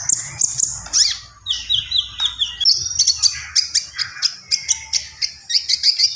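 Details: A common iora sings at full voice: high whistles, then a run of descending slurred notes, followed by a rhythmic string of sharp high chips repeated about twice per second.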